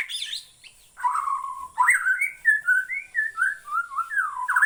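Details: White-rumped shama from Borneo singing: a rich series of clear whistled phrases, slurred notes rising and falling in quick succession after a brief high twittering opening, with a steady faint high hiss throughout.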